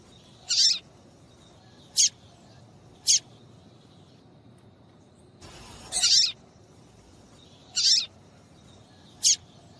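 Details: Female papa-capim seedeater call meant to get males singing; brief high-pitched chirps repeat irregularly every one to two seconds, seven in all, with one soft brushing noise just before a louder chirp midway.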